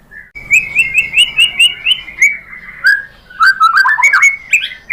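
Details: White-rumped shama song used to provoke other birds into singing: a run of about eight bright, rising whistled notes, then a lower warbling tumble and sharp, slurred whistles at the end.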